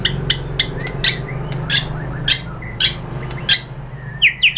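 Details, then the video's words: White-rumped shama song for masteran training of other birds; loud clipped chirps repeated roughly twice a second over a faint low hum, ending in a quick set of bright descending whistles. "PANCINGAN MURAI ¦ SHAMA BIRD"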